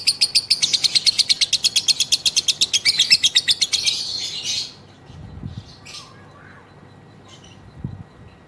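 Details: Female lovebird in long ngekek. Fast, rattling, high chatter pours out for about four and a half seconds, then stops. Afterwards only a few faint chirps and soft low knocks are heard.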